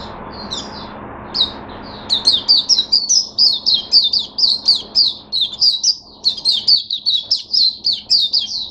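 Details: Oriental white-eye kept caged, recorded 5 May 2022, starts with scattered high notes, then launches into a sustained, fast, rhythmic song of slurred piping notes, each phrase rising and dipping.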